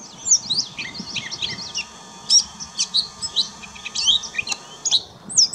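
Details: Gray Catbird singing on 20 May 2016 at St George Marsh, Charlotte County, New Brunswick: a rambling, jumbled string of squeaky, scratchy notes and quick whistled phrases, each burst different, with short pauses between.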